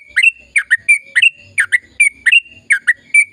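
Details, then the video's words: Sooty-headed bulbul song in the rapid ropel panjang manner, aimed at stimulating silent birds: bright paired chirps that slide downward, repeated evenly about every third of a second with a thin steady tone underneath. "Suara Burung Trucukan Gacor Ropel Panjang Perangsang trucukan bisu biar aktif bunyi"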